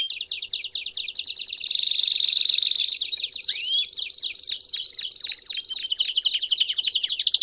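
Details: Several Belgian canaries singing together, played to stimulate another canary to sing: dense high rolling trills with rapid repeated notes, overlapping sweeping whistles and a steady high whine running through the first half.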